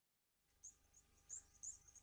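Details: Blue waxbill calls played in a bird call quiz, described as a tricky high-pitched whistling; thin, very high whistled notes given in quick bursts, rising in loudness toward the end.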